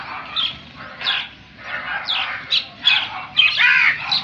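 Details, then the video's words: Short, rasping crow calls spaced roughly half a second apart, growing louder and denser near the end, where the final calls run together over a faint low background hum. "Crow sound effects"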